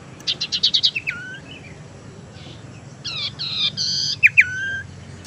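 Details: Tailorbird (sirtu teras) lure sound used to attract birds and to stimulate ones that have stopped singing: a quick run of five sharp high chirps, then slurred falling whistles and a second burst of stacked chirps ending in downslurred whistles.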